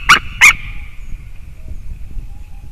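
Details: White-tailed eagle call, 9 October 2019: two loud, harsh barking yelps about a third of a second apart, followed by a lingering ringing tail and quiet background.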